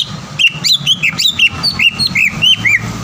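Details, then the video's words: Green leafbird lure song to make an opposing bird sing and become agitated: a lively series of clear, slurred whistled notes, rising and falling, about three per second, with some higher sharp notes mixed in. "PANCINGAN CUCAK IJO GACOR AGAR CUCAK IJO LAWAN SEKETIKA LANGSUNG BUNYI DAN EMOSI"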